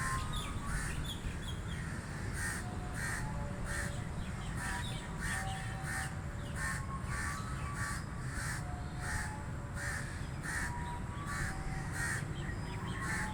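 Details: Crows cawing loudly, harsh calls repeated in quick bursts roughly every half second through the recording, over a steady low rumble of background noise.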